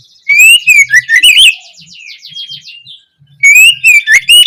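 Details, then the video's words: Oriental magpie-robin opening song meant to prompt young birds to sing: sweet rising whistles with high overtones, a soft buzzy trill, a brief gap, then the whistled phrase returns. "Awalan suara Kacer bahan belajar gacor, cocok untuk memancing Kacer trotolan agar lekas nyaut gacor"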